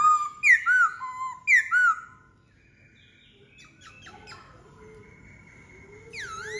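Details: Black-throated laughingthrush song in two paired phrases: a bright downslurred whistle followed by a lower looping note, repeated once, then quiet clicks and a last high downward sweep.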